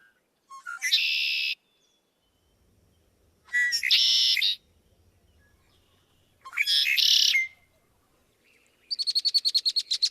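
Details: Red-winged blackbird, all sounds from the same bird. Three conk-la-ree songs about three seconds apart, each a short note into a harsh, buzzy trill, end with a rapid chattering rattle.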